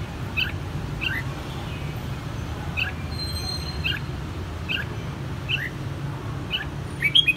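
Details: Red-whiskered bulbul raised in captivity in Saigon, Vietnam, from the white-cheeked juvenile stage, repeating brief chirped notes at fairly even intervals, with a faint high whine and a constant low background rumble.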